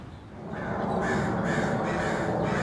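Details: Angry crows in a neighborhood, giving harsh caws repeated about every half second, growing louder after a quieter start, over a steady low background rumble.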